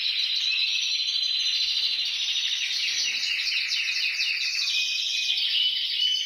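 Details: Singing canary, recorded to get other canaries singing: an unbroken stream of rapid high trills and chattering rolls, bright and buzzy throughout, with brief sharp whistled notes near the end.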